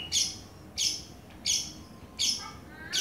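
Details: Greater green leafbird from a Banyuwangi and Kalimantan song comparison, giving harsh, hissy high notes repeated about every 0.7 seconds, four times in a row.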